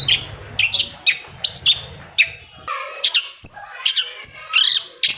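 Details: Long-tailed shrike song for prompting a quiet bird to sing: rapid sharp chirps and short whistled slurs repeated in quick succession, a low hum beneath the first two seconds.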